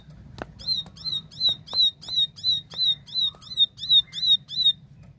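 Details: Plain prinia (ciblek sawah) in clear, active tembakan-style song: a steady run of about thirteen sharp, high chipping notes, roughly three per second, each bent downward and ringing, over a faint low hum.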